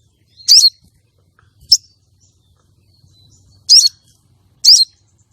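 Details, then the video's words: Female common iora calling to lure and stir breeding arousal in contest males: four short, very high sharp chirps in irregular spacing, two close together near the start and two more after a pause, over a quiet background. "Pancingan sogon betina untuk pikat dan pancing birahi sogon jantan lomba"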